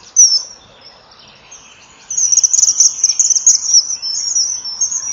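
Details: Common kingfisher pair at a nest wall, 07:20, 2 March 2014: male and female had been calling 'chip-chip' at each other, then chased a passing intruder. A piercing high whistled note, then a long run of shrill piping trills in rapid succession.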